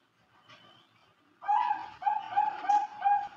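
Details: A female Bangkok-type zebra dove (Geopelia striata), whose song the owner says fell far short of the seller's ad, gives a run of five short, soft coos about three a second after a quiet start, with faint background sounds.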